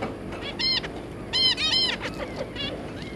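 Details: Family of zebra finches, a pair plus three juvenile offspring, recorded 3 July 2022, giving paired and clustered nasal, trumpet-like calls with rich harmonics and short gaps of quiet between bursts.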